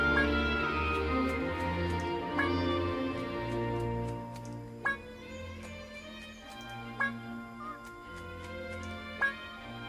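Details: Instrumental music plays throughout, with sustained tones and plucked notes recurring every few seconds, and no animal calls.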